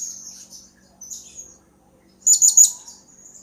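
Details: Serindit, or blue-crowned hanging parrot, used as a lure call to provoke an answer. Faint thin twitters give way to a loud, rapid burst of three piercing high notes.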